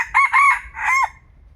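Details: Young decoy red junglefowl cockerel crowing a short, hoarse three-part crow, two quick rising syllables then a longer drawn-out falling note, with low rumbling background noise.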